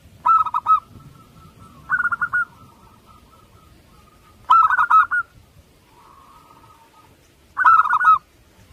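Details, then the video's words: A local zebra dove sings four bursts of quick rolling coos ending in drawn-out notes, with softer held tones trailing between phrases and one bright, ringing voice standing out. "Perkutut lokal"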